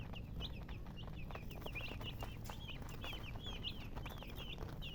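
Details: Young chicks cheep in short, sharp, wavering notes, scattered then bunched, over a constant low hum.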